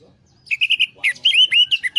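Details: Orange-headed thrush song used as a lure to get a stressed, silent bird singing again: a quick run of five sharp, even notes, then rich, slurred whistled phrases rising and falling, bright and clear.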